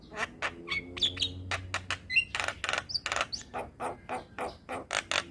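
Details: Javan myna song used to coach young mynas: fast clicking and scratchy chatter with short whistles and buzzy bursts, over a low steady hum.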